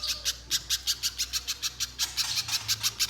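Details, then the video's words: Spiderhunter (pijantung pisang) in strong, nonstop song used as a lure to prompt another spiderhunter to sing long: sharp, high, clipped notes repeated about five per second, with a brief pause before the series resumes. "Pijantung Pisang Gacor Konslet‼️ Untuk Pancingan Pijantung Agar Bunyi Mbeset Panjang"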